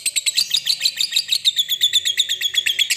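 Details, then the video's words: Lovebird in continuous ngekek song, a fast rattling chatter of shrill high pulses running without pause, slightly ragged at first, then settling into a steady piercing trill. "pancingan Lovebird"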